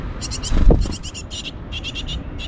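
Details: Great tits, adults and chicks at a nest on an eleventh-floor balcony in Mariahoeve, The Hague, April–May 2024: rapid bursts of high, thin chirps in quick repeated groups, with a brief low thump midway.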